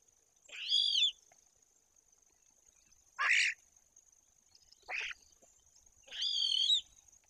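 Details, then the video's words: Common starling at a white-tailed eagle nest, treating a hidden tube camera as a possible nest site: four separate wheezy, whistled phrases over seven seconds, some with stacked tones, others short buzzy notes, over a steady thin high hum. "Rozśpiewany szpak"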